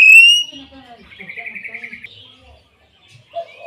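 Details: Common hill myna opening with a loud, clear, slightly rising whistle, then a quieter wavering trill and soft low notes, ending with a short rising whistle.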